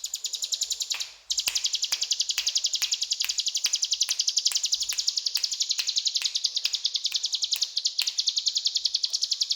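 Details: Ciblek gunung pouring out a long cetrakan rattle: sharp, rapid, high-pitched ticks in an almost unbroken buzzing stream lasting over eight seconds after a short opening phrase.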